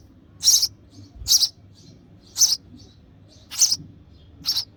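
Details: Sparrow chick begging in the nest as its mother feeds it: five short, very high, harsh chirps spaced about one second apart over faint low background hum.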